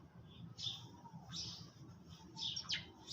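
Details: Sparrows chirping as they eat in the early morning; bright chirps and one quick downward-sliding note, closely spaced, over a faint low drone.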